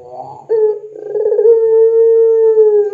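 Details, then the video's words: Puter pelung, a Barbary dove, heard on a lure recording meant to train other doves. A short rough note leads into a sustained, even, low-pitched coo lasting about two and a half seconds, with a soft background hum. "SUARA PANCINGAN PUTER PELUNG GACOR COCOK UNTUK MASTERAN PUTER PELUNG"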